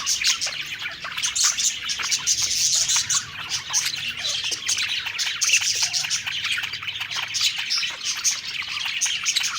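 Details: Several pet budgerigars singing happily while eating: dense, continuous warbling chatter of chirps, squeaks and buzzy notes overlapping without pause, a lively flock chorus.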